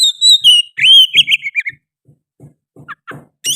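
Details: Oriental magpie-robin (kacer) in lively song that includes sooty-headed bulbul phrases; loud slurred whistles and a drawn-out note fill the first half, then soft low knocks tap irregularly, with a final bright chirp.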